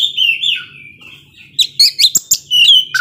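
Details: Oriental magpie-robin singing to provoke slower rival birds; sliding whistled phrases give way to loud clipped notes and a bright rising whistle, with a faint low hum beneath.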